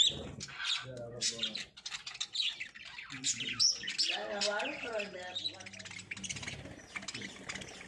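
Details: Lovebirds during breeding, giving a busy stream of sharp, high chirps and squeaky notes, with lower harsh tones mixed in throughout.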